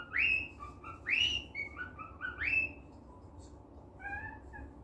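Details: Happy pet cockatiel indoors producing bright rising whistles and short chirps in quick succession, followed by softer lower notes toward the end, against a quiet hum.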